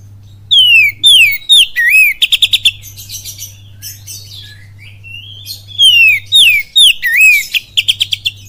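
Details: Lure song of an oriental magpie-robin, full kapas tembak style: bright slurred whistles alternate with fast trains of sharp repeated notes, the phrase returning twice, with quieter warbling between and a low hum.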